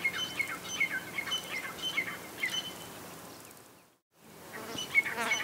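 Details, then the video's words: A female grey francolin gives sharp, high, clipped notes repeated roughly every half second over a steady hiss, broken by a brief silent gap. "Female Grey Francolin Sounds - Teetar Voice - Teetar Ki Awaz"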